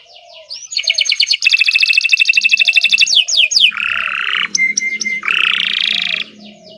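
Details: Kenari Nusantara canary singing long gacor-style song: buzzy rolls and fast high rattling trills, then a sustained whistled note and two broad harsh buzzy phrases, with a faint lower chirping underneath.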